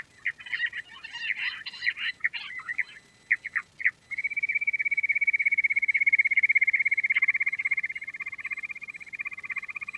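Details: Quail sound opening with scratchy, irregular chatter and a few separate chips, then a long, fast, evenly pulsed trill at steady pitch, later joined by a lower pulsing line.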